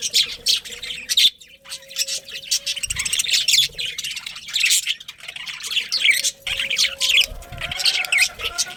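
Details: Colony of breeding budgerigars giving a dense stream of high, warbling chirps and squeaky notes, overlapping continuously, with a faint steady tone underneath.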